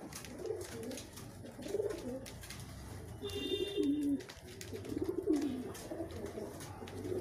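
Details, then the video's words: Pigeons competing to eat food, giving low cooing calls in several bursts with a small rise and fall, amid pecking and scuffling noise. "কবুতর, পাল্লা দিয়ে খাবার খাওয়ার প্রতিযোগিতা চলছে।"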